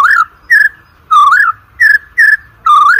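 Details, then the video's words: White-rumped shama, used as a lure recording for training competition birds: pure, evenly spaced whistled notes, some level and some dipping then rising, about seven notes in three seconds with brief silences between. "OCEHAN MURAI BATU PALING EDAN, COCOK UNTUK PANCINGAN MURAI BATU UNTUK LOMBA"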